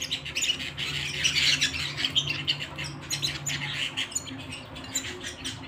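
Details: At home, a canary pours out rapid chattering trills, loudest early on, then softer, with a low steady hum underneath.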